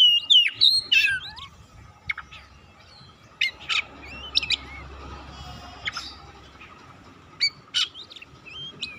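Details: Oriental magpie-robin (kacer) singing to lure and stimulate another bird to sing: clusters of high whistles and abrupt harsh chips, separated by pauses of one to two seconds, over a quiet background hum.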